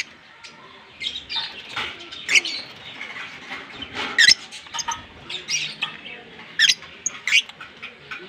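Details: Captive green Fischer's lovebird pair chirping: a string of harsh, scratchy high chirps and sharp squeaks coming irregularly, roughly every second or two.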